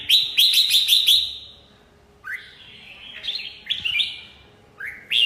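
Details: A Red-whiskered bulbul opens with a rapid stuttered trill, then after a pause gives rising whistles and a few warbled notes.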